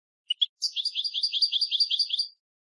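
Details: A European goldfinch gives two short sharp chirps, then a rapid, rolling trill of about a dozen high, even notes lasting some one and a half seconds, with nothing else audible.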